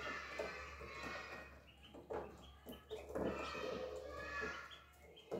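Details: Three young ducks playing and eating give a string of short, high, thin peeps, several sliding upward, in uneven bursts, over a steady low hum with soft rustling and splashy handling noise.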